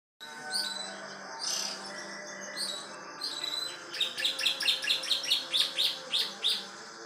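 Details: Canary in full song in a style that mimics the bar-winged prinia. Scattered high chirps are followed by a rapid run of bright, evenly spaced trill notes, about two per second. A low steady hum runs underneath.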